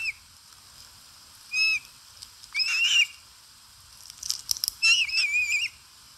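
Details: Osprey eating at a nest, Satakunta, Finland, August 2022: a series of sharp high whistled calls in uneven bursts, some single, some quick doubled phrases, with brief clicks and rustling between them.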